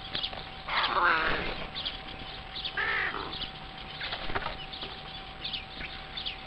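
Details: Crows calling at a zoo window on Pentecost Sunday morning: two harsh, hoarse caws about two seconds apart, the first loudest, over a steady background hum with faint clatter.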